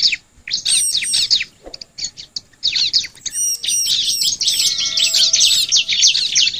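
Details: Song of the bar-winged prinia, used as a lure to make other birds sing. Scattered chirps open, then a dense, continuous stream of high, scratchy twittering, with high whistled slurs and a faint steady tone near the end.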